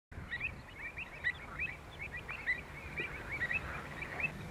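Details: Pied avocets in June 2015 at Skanör and Falsterbo, Sweden: a flurry of short, sharp, piping notes overlapping from several birds, with low rumbling background noise.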